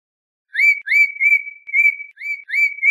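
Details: Audubon's oriole song of sweet whistled notes, each rising then held level, some drawn out, given in quick succession for about two and a half seconds in a quiet setting.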